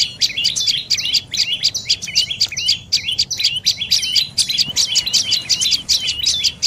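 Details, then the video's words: Dark-necked tailorbird giving quick bursts of shrill chirps, each burst a few sharp notes ending in a short downslur, repeated roughly every second. "เสียงนกกระจิบคอดำDark necked Tailorbird Sounds"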